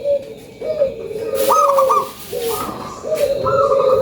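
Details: Local Indonesian zebra dove used as a lure bird, giving repeated mellow cooing phrases that step up from a low coo to a higher held note, with a faint background hiss.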